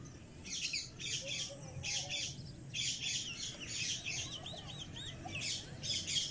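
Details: Cockatiel kept as a pet, calling steadily: repeated grating squawks in paired bursts, with a run of quick wavering, warbled notes in the middle and more harsh squawks to finish, over low background hum.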